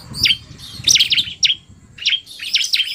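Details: Semi-active bar-winged prinias, male 'narung' style mixed with a rapid female: scattered loud, high chirps with sharp falling sweeps, in small groups with short silences between.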